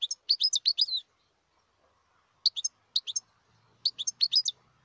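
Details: Wild European goldfinch singing in Algeria: bursts of bright, tinkling twittered notes, a busy phrase of rapid chirps followed after a pause by short clusters of two to four sharp high notes.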